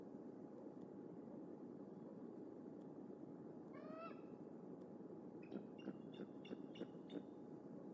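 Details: Wild bald eagles, an adult female and a subadult, in a cottonwood nest tree at Decorah, early morning of 2 August 2019, waking and leaving the nest. A short falling call is followed by a quick run of about seven thin, high chittering notes, over steady low rumble.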